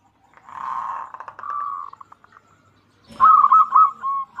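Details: Local zebra dove from Indonesia, used as a lure song for reluctant zebra doves; a blurred, noisy cooing passage first, then a clear burst of rapid trilled coos with a knock-like sound.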